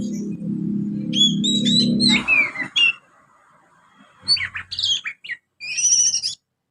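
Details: Young Oriental magpie-robin twittering with house sparrow-like material; a low droning hum fills the first two seconds, then sharp high chirps and short rising notes come in quick bursts separated by pauses.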